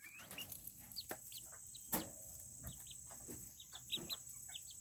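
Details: Serama chickens, a tiny breed, gathered in a coop on a cool day. Short, high, falling peeps are repeated irregularly, mixed with low clucks, a sharp knock near the middle and a faint steady hum.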